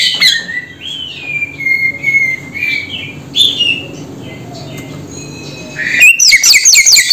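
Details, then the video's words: Samyong bird giving a loud, clear whistled note that falls then levels, a few scattered chirps around it, a quiet pause, then a burst of sharp, high, harsh calls at the end. "Suara Burung SAMYONG"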